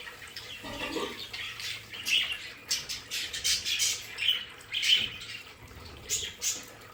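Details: Pet budgerigars in their play area give scattered sharp chirps and scratchy warble phrases, several birds calling in short bursts, with a soft low thud early on.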